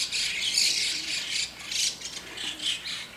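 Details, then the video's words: White-cheeked starlings noisily calling early in the morning above a neighbour's window: harsh, rasping, rattling calls in overlapping bursts, a chorus of creaky squawks with a few thin whistles; finding: White-cheeked starling. "ムクドリの鳴き声～朝の騒々しい鳴き声～White-cheeked Starling"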